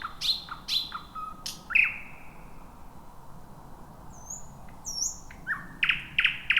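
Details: Thrush nightingale at night in thick bushes, first heard around midnight after days of waiting; clicking strophes and a sharp downward slur, high thin whistles, then loud rapid repeated notes at the end.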